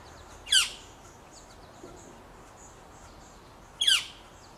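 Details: Northern flicker nestlings in a nest box while being fed by parents give two brief, harsh, buzzy squawks about three seconds apart, with faint high chirps in the background.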